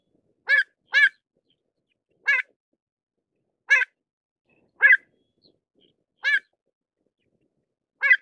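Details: Repeated short, bright calls of a pied avocet, seven single notes spread over eight seconds at irregular intervals, two of them given in quick succession near the start. The background is otherwise silent.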